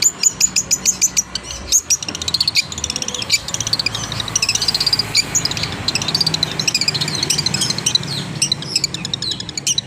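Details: Tail spread, a long-tailed shrike pours out a dense, chattering stream of high twittering and scratchy notes for ten seconds, with strong pulses at the start and a continuous warbled jumble after.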